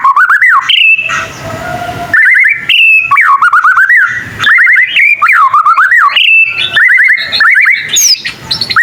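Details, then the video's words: Young white-rumped shama practising, said to make other shamas answer; repeated phrases of loud wavering whistles dipping and rising, delivered in bursts of about a second with short quiet breaks. "Suara burung murai batu paling gacor bikin burung murai lain langsung nyaut"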